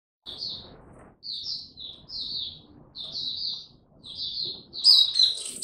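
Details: Oriental white-eye in ramp-up form singing: short high, bright chirpy twittering phrases in quick bursts separated by brief pauses, ending in a louder, busier flourish, with faint low background rumble.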